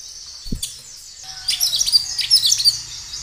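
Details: Kinoi singing energetically, a natural recording used as a lure to prompt other kinoi to answer: a soft thump and a brief low tone, then a second and a half of rapid, very high, thin chirps and twitters.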